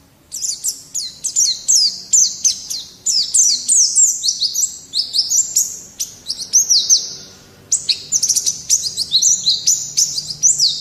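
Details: Energetic white-eye 'gacor' song, a master recording for training songbirds: loud, high, rapidly repeated whistled and twittering phrases with fast slides and short pauses between bursts.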